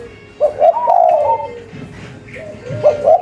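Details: Local strain spotted dove, vigorous in voice, giving a cetrekan-style call meant to get other doves answering within five seconds: two short coo phrases, a mid-pitched purring run, then a pause and another coo, with faint background noise.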